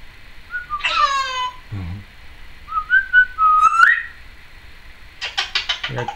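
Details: Caged Timneh African grey parrot, recorded in 2012, making various noises: slurred whistles and a warbling rising whistle, a low grunt, then a burst of harsh buzzy squawks.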